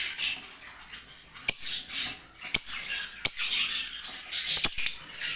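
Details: Green lovebirds in a breeding setup: a steady bed of high, hissy twittering broken by sharp, piercing squeaks about once a second, with a rapid cluster of squeaks near the end.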